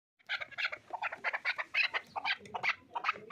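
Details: Chukar partridge calling, a rapid run of harsh, clucking chuk notes in rising bursts, repeated several times a second without pause.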